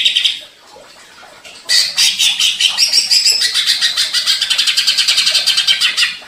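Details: Greater green leafbird (cucak ijo) singing excitedly after provocation, ngentrok style: a short buzzy note, a pause, then an extended rapid rattle of harsh pulses, roughly six or seven per second, running to the end.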